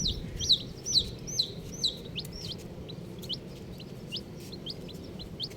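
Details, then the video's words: Colourful baby chickens peeping. Loud, sharp, high whistled chirps open the recording, then quieter ones follow in a steady rhythm of roughly two per second, with faint background noise. "Colourful Baby Chickens | Cutie Chicks Chirping Sounds"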